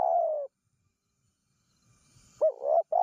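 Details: Spotted dove calls used to lure wild doves: a mellow, slightly descending coo opens the clip, then after a pause a rising note runs into a wavering, hollow coo phrase. No other clear sounds.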